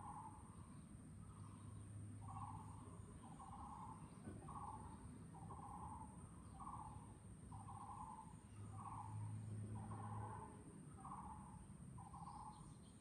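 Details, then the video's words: Long series from a Taiwan barbet at Chunghsing New Village, Nantou, Taiwan, 12 April 2018: hollow, low, evenly repeated notes, about ten in thirteen seconds, each a short pickup rising to a held tone, over constant low rumble and a faint high hiss. "sound of Taiwan barbet 五色鳥叫聲"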